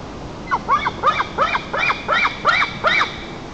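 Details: White-tailed eagle at a nest 35 m up in Nizhnyaya Kama National Park, Tatarstan, 4 August 2024; adult Chulman waking the young, answered by Toyma: a quick series of about eight sharp, yelping, rising-falling notes, two or three a second.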